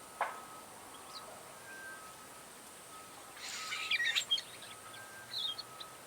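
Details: Cape sugarbird (Promerops cafer), call.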